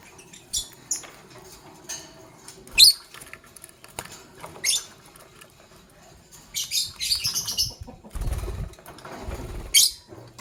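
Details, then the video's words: Morning chirping from green Fischer's and pastel blue lovebirds: scattered piercing high chirps, some in quick clusters, with gaps between them, plus low thumps and rustling. "Lovebird Chirping Sounds"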